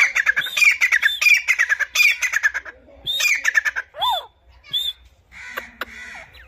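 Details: Angry Grey francolin calling in forest: loud harsh ringing notes delivered in a rapid run of about four strokes a second, then scattered shorter cries and a downward-sliding note, quiet pauses between.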